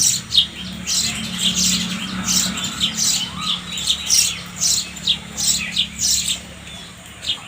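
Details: Sparrow chattering with a long run of repeated harsh chirps, about two per second, fading near the end, with a low background drone.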